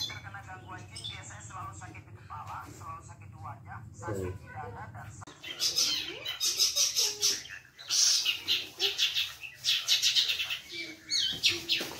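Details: Long-tailed shrike kept as a pet, singing: soft, muffled murmuring for about five seconds, then loud, scratchy, high chattering bursts in quick irregular series to the end.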